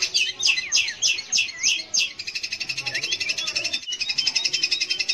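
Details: Song of a long-tailed shrike for prompting young or reluctant shrikes to sing; opens with repeated sweeping whistled slurs about four a second, then shifts to a steady, even, rapid buzzy trill.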